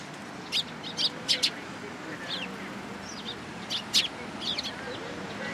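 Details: Sparrows coming to a cherry tree at a Tenmangu shrine on 24 March 2023. Sharp, bright chirps come in twos and threes, with softer twitters between and a low background murmur.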